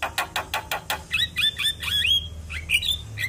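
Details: Black-collared starling singing to provoke other starlings into song: a run of harsh broadband rasping notes, then whistled notes swooping down and up, repeated several times.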